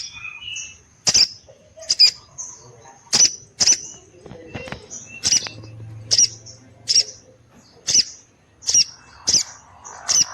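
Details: Female orange-headed thrush in full voice, prompting males to respond and come into breeding condition; a brisk series of about fourteen sharp, high clicking notes, some in quick pairs, with brief thin whistles between them.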